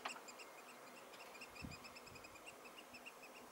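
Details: Brief stretch of piping by three Eurasian oystercatchers, 16 June 2016: quick succession of short, high, sharp notes over steady background hiss, with a soft low thump.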